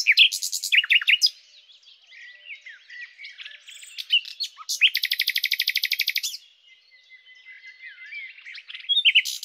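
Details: Varied common nightingale song with bursts of sharp notes, soft twitters, a long rapid trill near the middle lasting over a second, then a thin level whistle and renewed chirps.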